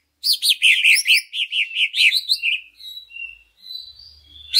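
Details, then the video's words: Greater green leafbird song played as a lure for other leafbirds: a quick series of about a dozen loud, sharp down-slurred chirps, followed by thin, quieter whistled notes. "Pancingan Cucak Ijo Sangat Ampuh Untuk Menaikan Mental Ijo Lain Agar Mau Jamtrok Bongkar Isian"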